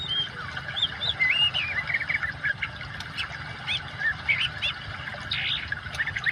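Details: Oriental magpie-robin in full song, mixed with water sound for training silent caged birds: varied slurred whistles and trills, rising and falling, delivered in quick bursts over a steady low rushing water background.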